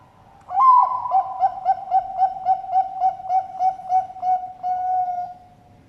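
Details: Captive Bangkok perkutut, a zebra dove, at a bird farm in Sidoarjo, East Java, Indonesia. It gives a long song that starts with a swelling coo, runs into a steady train of soft rhythmic pulses, and closes on a drawn-out held note.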